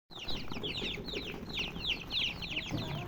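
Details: Domestic chicken chicks chirping as a group: dense, overlapping high peeps, each a short falling whistle, pouring out continuously with a faint low background rumble.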